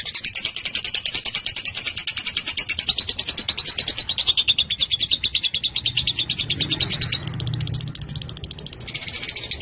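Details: Lovebird giving a long chattering song: a fast, steady series of high, harsh notes, about three per second, continuing for nearly ten seconds, with a brief low rumbling sound midway.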